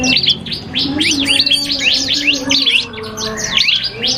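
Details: Cipoh kristal (iora) dueling in song with a prinia on a cagebird training recording: rapid, bright whistled notes sweeping up and down in quick chains, with a steady low hum beneath.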